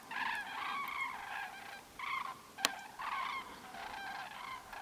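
Common cranes give loud, rolling trumpeting calls in three overlapping bursts, as if several birds are calling together; a single sharp click cuts in midway.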